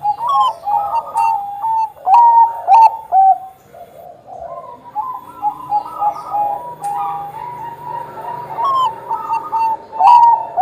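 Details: Bangkok-type zebra dove cooing eagerly, meant to prompt other perching doves to sing; short rising and level soft notes repeated about twice a second in uneven bursts, several overlapping voices.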